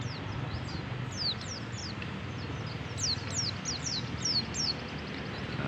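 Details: Captive pet white-eye taken outdoors to meet wild white-eyes, which raises its breeding drive: a rapid series of thin, high, downslurred notes over steady background noise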